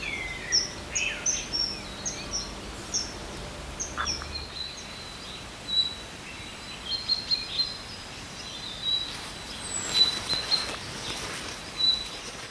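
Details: Common kingfisher, its voice described as sharp and penetrating, repeating short, very high piercing peeps at uneven intervals, roughly one or two a second, with a steady natural background hiss.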